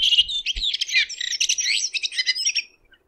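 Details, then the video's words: Red-throated thrush (Turdus ruficollis) singing in nature, a continuous, busy warble of rapid twittering, buzzy and sweeping notes lasting over two seconds, with a few soft low thumps near the start. "Red Thrush Singing.(Turdus ruficollis)."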